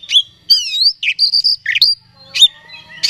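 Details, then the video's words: Oriental magpie-robin, known locally as kacer, singing to provoke a rival into an aggressive mood: sweet whistled notes, a rapid slurred trill and short buzzy chirps in separate bursts. "Suara Pancingan Kacer Agar Cepat Emosi Gacor ! Pancingan Paling Ampuh Buat Menaikan Emosi Kacer"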